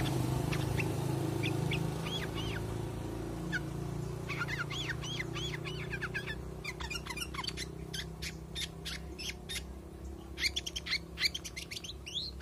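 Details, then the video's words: Cage-bird recording of a bulbul known locally as cucak kurincang, kutilang sutra or kuniran: arched, slurred whistled notes early on, then a run of sharp, clicky chips over steady low rumbling background noise. "kicau cucak kurincang"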